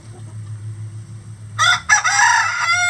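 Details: Among twenty-odd farm roosters of standard and bantam breeds, one bursts into a loud, rich crow after a quiet low hum. It breaks briefly, then holds a strong harmonic tone to the end.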